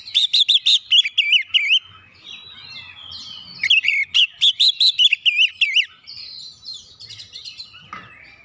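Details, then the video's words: Kacer, the Oriental magpie-robin, in song meant to stir other birds into singing: two loud runs of quick, warbling whistled notes separated by softer sliding phrases, ending in fainter twitters. "KICAUAN KACER PEMICU EMOSI"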